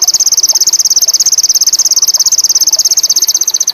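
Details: Sogon (indigo) with high mating urge delivering a continuous, very rapid, high buzzy trill of evenly repeated pulses that slowly drifts lower in pitch.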